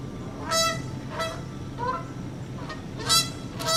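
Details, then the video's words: Canada goose pair, the male communicating with the female while prodding her, recorded September 24, 2015 at 9:15 am; loud harmonic nasal honks repeated about every half second to second, some rising, over low background rumble. "2 Canadian Geese Honking"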